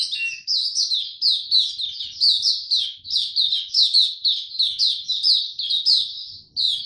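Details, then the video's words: Dagger-style song of a young male Mata Puteh (white-eye), recorded while maturing, 9 February 2022: a long, even series of high, falling chirps packed closely together, ending with a brief break and a restart. "Mata Puteh Dagger Video 1 buka sing tiong aw studying his progress n maturing"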